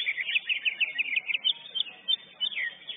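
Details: Lesser green leafbird, first-place winner at a bird singing competition, giving rapid chattering song of sharp rising and falling chirps packed in quick bursts, with other birds audible faintly behind.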